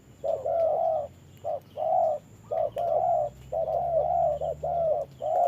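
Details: Caged spotted dove decoy facing a wild rival during rainy-weather trapping: soft, rounded coos in clustered short-long groups, broken by brief pauses, with a low steady drone and a thin high whine behind.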